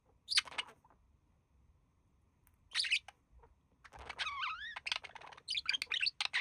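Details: Relaxing pair of budgies, the male imitating human speech; two sharp chirps, a pause, then a wavering, voice-like tonal phrase followed by rapid chattering notes.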